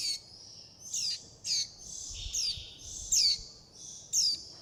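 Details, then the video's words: Juvenile warbling white-eye begging for food and calling its mother and flock, with piercing high chirps roughly once a second over a steady high-pitched background twitter. "Tiếng chim vành khuyên non gọi mẹ - gọi bầy - đòi ăn"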